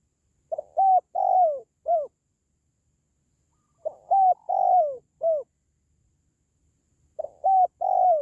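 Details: Spotted dove call, used to lift the spirit of pet doves at home or lure wild doves. Three evenly spaced phrases of low cooing, each a short note, a longer falling coo, then a final note, in a quiet setting.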